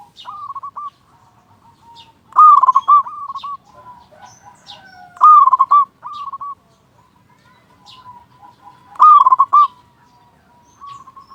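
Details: Local zebra dove singing persistently to stir other doves into calling: three loud bursts of rapid vibrating coos at intervals of about three seconds, linked by softer repeated notes.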